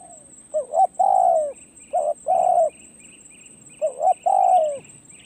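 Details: A spotted dove kept as a decoy calls with three quick phrases of short hoots leading into a sustained, gently falling coo. High thin chirps from other birds and a steady insect buzz run underneath.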